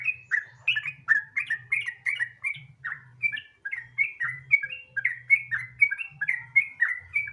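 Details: Gacor ropel singing by a sooty-headed bulbul, meant to provoke other bulbuls to call: tumbling bright whistles, rapid at first, then evenly spaced rising-falling notes for the rest, with a quiet low hum behind.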